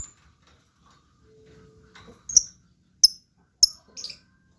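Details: Blue lovebird chirping actively: four sharp, very high chirps at the end, spaced roughly half a second apart after a quiet start, with no other clear sounds.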